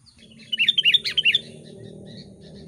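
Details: Sooty-headed Bulbul kept as a calling and tutor bird in Lubuklinggau, meant to make wild bulbuls answer and approach. One short, loud burst of about seven quick bubbly whistled notes, then steady low background hum.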